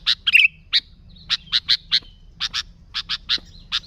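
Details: Sooty-headed bulbul, described as a vigorous 'gacor' singer with no added sounds, used to lure other bulbuls: sharp, short chirps mostly in pairs, repeated irregularly against a quiet low hum.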